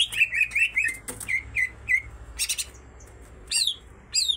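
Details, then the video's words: Female and male greater green leafbirds in song, filled with kingfisher imitations: a rapid series of downslurred chirps, then scattered high, sharp notes and brief noisy bursts after a short lull. "full isian tengkek cucak ijo betina dan jantan sama sama gacor"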